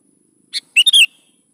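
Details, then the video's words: Sooty-headed bulbul singing gacor as a lure for young bulbuls: one crisp lead note followed by a fast, bubbly run of three liquid notes. "SUARA BURUNG KUTILANG GACOR"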